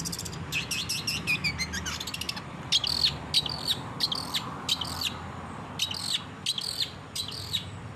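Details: Long-tailed shrike singing actively, used as training material for caged birds: a rapid run of descending chirps, then separate buzzy, ringing phrases spaced about half a second apart over steady low noise.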